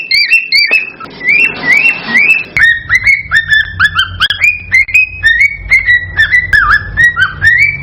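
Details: Male cockatiel mating song played to stimulate breeding: clear whistled notes, rising and falling slurs repeated about twice a second, with a brief burst of harsh noise early on.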